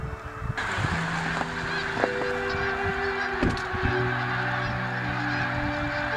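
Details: Snow geese at Bombay Hook, Delaware, a large flock calling together: overlapping nasal honks and drawn-out tonal calls layered over a steady rushing background roar.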